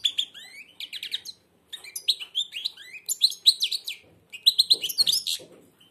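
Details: Blind European goldfinch with beak almost shut singing continuous chains of sweet, rapid twitters and rising chirps; faint human voice near the end.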